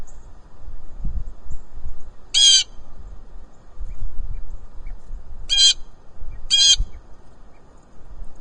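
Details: Blue jay hollering on a farm: three loud, harsh, raspy calls, one near two and a half seconds and a close pair near five and a half and six and a half seconds, over a low rumbling background.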